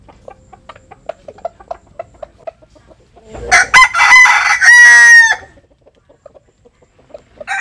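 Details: Jap Cuban bantam rooster crowing while sunbathing in rural western Vietnam: soft scattered ticks, then one loud, harsh, two-second crow with a rising start and a long held ending, followed by quiet ticking.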